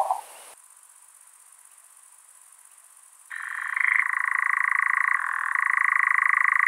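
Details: A European nightjar at night in the breeding season, near its nest with eggs and chicks, starts a steady, rapid mechanical churr after a few quiet seconds. The churr is a dry, insect-like trill with slight shifts in pitch.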